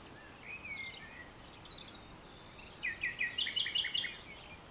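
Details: At dusk on 22 April 2020, a Common nightingale sings from vegetation edging French farmland. A drawn-out whistle and scattered notes lead into a rapid, rhythmic series of about eight loud, clipped repeated notes near the end.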